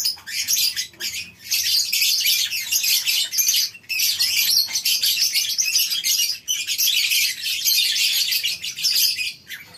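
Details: A colony of lovebirds in a breeding-farm aviary in the morning produces constant high-pitched screeching chatter, broken by a few short silent gaps, about every two to three seconds.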